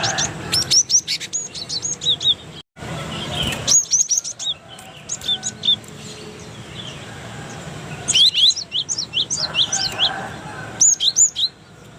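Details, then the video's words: Cinereous tit song from Indonesia, recorded to train other birds: repeated bursts of sharp whistled and chirping notes separated by quieter pauses, with a brief silence early on and a busy flurry of notes near the end. "MASTERAN Gelatik Batu"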